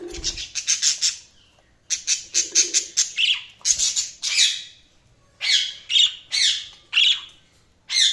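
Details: Budgies giving bursts of harsh, rasping squawks in quick series, separated by short silences, with some buzzier notes mixed in.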